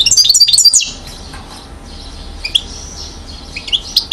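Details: European goldfinch aged one year, Mouzaia, Algeria, 2012: opening flurry of bright, tinkling high twitters under a second long, then sparse thin chirps and short upslurred notes.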